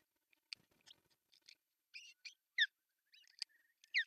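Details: Ospreys at an artificial nest in northern Satakunta, Finland, June 10, 2024, male arriving with a big fish for breakfast; scattered high chirps building to sharp downslurred squeals near the end.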